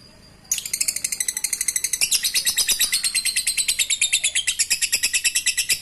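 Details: After a short quiet start, a lovebird launches into ngekek receh chatter meant to prompt silent lovebirds to sing: dense, high, rapidly repeated chirps running without pause to the end.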